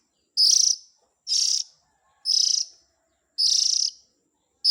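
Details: Oriental magpie-robin chick call used for luring adults: five high, scratchy, buzzing rasps, each fading at the end, spaced about one second apart in otherwise near silence.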